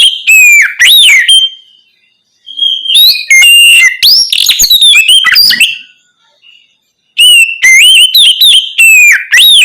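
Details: Oriental magpie-robin giving full, open night song, played as therapy to prompt untrained magpie-robins to answer quickly. Loud, varied whistled phrases with rapid rising and falling sweeps, delivered in bursts separated by short pauses.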